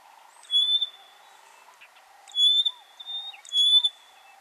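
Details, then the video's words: Rosy-patched bushshrike duetting in Buffalo Springs National Park, Samburu, Kenya: three clear, high, level whistled notes, each answered by low hooped notes, the pattern repeating about every 1.5 seconds in a quiet setting. "Rosy-patched Bushshrike Calling"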